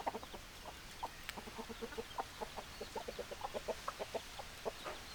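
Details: Hens clucking: a steady run of short, low, rounded clucks repeated several times a second, overlapping as several birds call together, with faint background noise.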